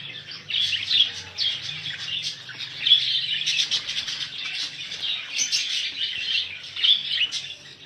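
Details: A crowd of budgerigars kept for sale twitters continuously, with sharp high chirps standing out now and then over the steady warbling chatter.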